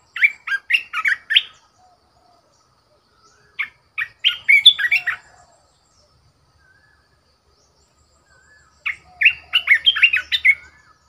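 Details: Caged red-whiskered bulbul used as a decoy bird sings three bursts of quick, bubbly whistled phrases, each a rapid run of five to eight notes, separated by short silent gaps.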